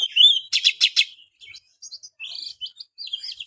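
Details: Oriental magpie-robin, a sound for a kept bird reluctant to sing: one sliding whistle, three loud harsh pulses, then a string of short soft high chirps and warbles.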